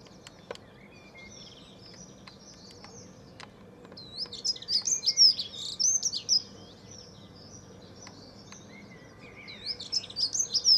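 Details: Dunnock (Prunella modularis) singing in a back garden, 9 April 2014: two quick, high, jumbled warbling phrases about three seconds long, a few seconds apart, over a faint low hum.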